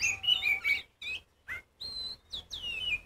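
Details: Oriental magpie-robin of the kacer poci type, sung loudly to provoke other magpie-robins into singing. Clear whistled phrases slide and warble between mid and high pitch, broken by short pauses and sharp downward notes.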